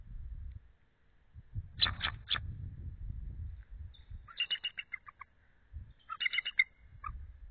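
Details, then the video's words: Female eagle off her egg shortly after midnight on 8 February 2013, cooling it after about 25 minutes, calling while her mate answers: three short high bursts, then rapid staccato chittering notes in quick runs over low rumbling background noise. "Belle is Cooling the Egg; Calls, Thrills too"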